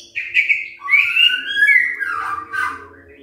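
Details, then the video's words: White-rumped shama giving a short morning song meant to prompt other shamas: one flowing phrase of smooth slurred whistles sliding up and down, with a soft low hum underneath. "Pancingan PAGI-PAGI AGAR MURAI GACOR❗ murai diam pasti ikut NYAUT EMOSI❗❗"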